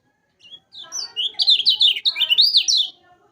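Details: A yellow-vented bulbul, recorded as a lure to get silent caged birds singing, gives a two-second run of warbling, up-and-down slurred notes that swell in loudness, with faint lower tones underneath.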